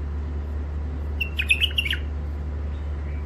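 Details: Wild-caught bird kept in isolation for the first time, from Mandali, Iraq, producing a short series of four or five piercing, clipped chirps in quick succession, set against continuous low-pitched humming.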